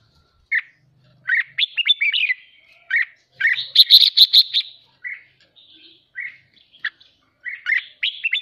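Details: Excited caged red-whiskered bulbul singing the 'ché' chatter during training: clusters of quick whistled and slurred notes, a loud harsh buzzy outburst near the middle, then further scattered short phrases.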